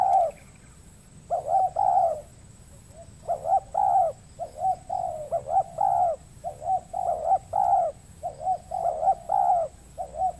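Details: During spotted dove trapping on peatland in the Riau Islands, Indonesia, a wild bird that coos heavily answers the decoy but avoids fighting. Steady series of soft, rounded coos arrive in paired and tripled groups across the recording.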